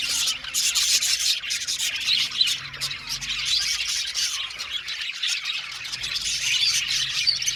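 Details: Budgies in an Australian parrot aviary colony produce a harsh, hissy-sounding mass of chirps and scratchy squawks, dense and continuous, with occasional louder bursts.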